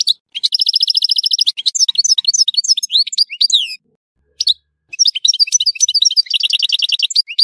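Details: European goldfinch in Tissemsilt delivering a rapid trill followed by lively twittering and sweeping high notes, a brief pause, then a further run of chattering trills.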